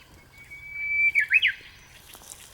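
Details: Japanese bush warbler singing early in the morning in the mountains: a long, steady whistled note that slowly rises, then a quick, sharp two-part flourish to finish, with faint background hiss.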